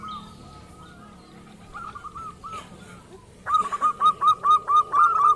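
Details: Local zebra dove calling to provoke rivals into answering: soft, distant short coos at first, then a loud, evenly spaced burst of about ten punchy staccato notes.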